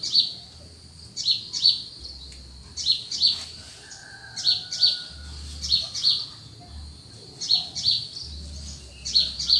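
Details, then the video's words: Birds calling in the early morning in the cool countryside: high, sharp chirps given in quick pairs, repeating roughly every second with uneven spacing, plus a faint drawn-out whistle midway, over a soft low rumble. "The atmosphere and sound of early morning birds in the cool countryside."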